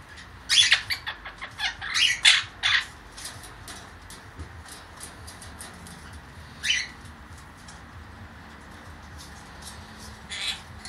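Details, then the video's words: Baby blue Quaker parakeet, a caged female pet, makes funny noises in a temporary cage: a quick burst of harsh, scratchy squawks and chatters, then scattered single rasping calls with pauses between, in a quiet indoor room. "the Quaker making funny noises"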